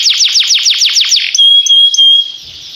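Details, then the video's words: Canary singing: a run of fast down-swept whistled notes repeated about six times a second, then a pure steady high whistle with brief chirps. "This Sweet Melody Will Excite Your Singing Canary!"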